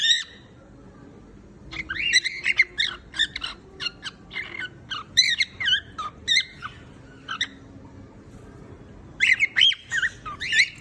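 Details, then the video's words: Cockatiel sings a long, choppy series of whistled and chattering notes, mostly rising or curved, in clusters after a quiet opening second. "Beautiful Cocktails Voice // Singing Cocktails"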